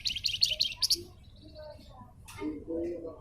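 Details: Javan fulvetta (flamboyan) in a tutoring recording: a quick burst of sharp, high chirps in the first second, then faint thin whistles and lower murmuring sounds.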